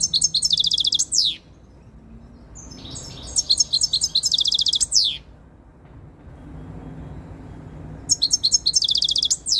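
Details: European goldfinch, very tame and coming into breeding condition, filmed close up. Three phrases of fast, buzzy, tinkling twitter, each about a second and a half, with faint notes in the gaps between.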